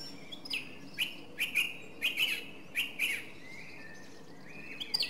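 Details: Song thrush (Turdus philomelos) singing: short bright notes near the upper-middle range, delivered in small bunches of two or three, each motif repeated before a softer rising whistle closes the passage.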